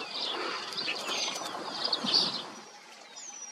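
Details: Eurasian penduline tit by a river, where nests hang from branch tips over the water, while a parent feeds grown chicks: thin, very high, drawn-out whistles sliding downward over busy twittering of other small birds.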